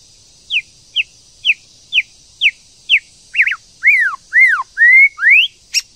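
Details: White-rumped shama, female stimulating a male to sing: clear whistled notes each sliding downward, repeated about every half second, then broader arching and rising whistles, over a constant high hiss.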